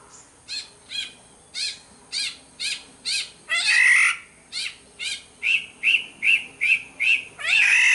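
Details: Black-naped oriole from Sumbawa, lure recording: a quick series of short, chevron-shaped chattering notes, about two per second, broken twice by a longer harsh, nasal squawk, with the notes growing louder toward the end.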